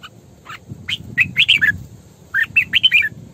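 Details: Female red-whiskered bulbul used as a lure bird, singing in the sổ bọng style; bright whistled notes that slide up and down, grouped in two quick phrases over a low background rumble.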